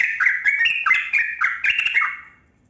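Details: Trucukan kebo yellow-vented bulbul delivering a rich, fast, warbling chatter of rolling notes. The phrase fades out after about two seconds, part of a long ropel song meant to make lazy bulbuls sing.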